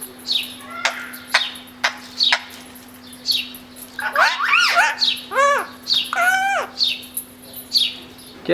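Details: A pet talking Indian ringneck parakeet gives a few sharp, clipped chirps, then a burst of loud, harsh, arching squawks while its owner talks to it; a steady electrical hum runs underneath.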